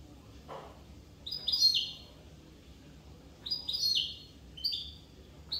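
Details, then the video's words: Corsican European goldfinch singing: short bursts of bright, tinkling twittered notes, each phrase about half a second, separated by pauses of a second or more, over a quiet low hum. "chardonneret corse"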